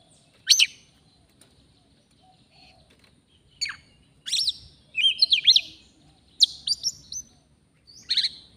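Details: Oriental magpie-robin, a forest bird, recorded during bird trapping: scattered bursts of sharp chirps and whistled phrases separated by pauses, with quiet background rustling.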